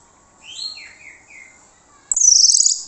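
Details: Orange-headed thrush lure song to make other birds reply. Three or four short whistled notes each slide downward, followed by a loud, buzzy, fast high trill.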